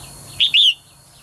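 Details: Female bird calling to get males singing energetically. A single call: a short bright note, a tiny pause, then a longer descending whistled note, against quiet low background noise.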